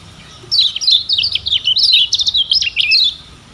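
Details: A Lombok lemon-bellied white-eye, recorded as a tutor song for training other birds, sings a fast, high twittering phrase of sharp, slurred notes for about two and a half seconds over faint background hiss.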